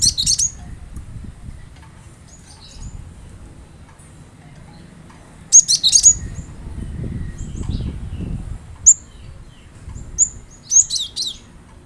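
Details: Cinereous tit song played as a lure to get kept birds singing: short bursts of high, sharp chirps and twittering notes, separated by quiet gaps, over a low background rumble.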